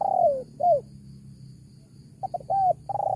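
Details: Spotted dove lure call for wild doves: the end of a falling coo and a short closing note, a pause, then another phrase with quick stutter notes and a drawn-out coo.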